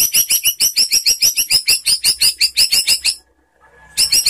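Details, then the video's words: White-rumped shama (murai batu) lure song for coaxing other shamas to reply: a fast, steady series of sharp high repeated notes, about three per second, stopping briefly before resuming. "SUARA MURAI BATU SANTAI untuk Memancing BUNYI NYAUT"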